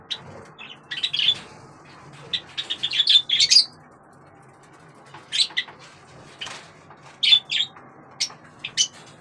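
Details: A budgerigar (Melopsittacus undulatus) chatters in quick bursts of high, scratchy chirps and warbles.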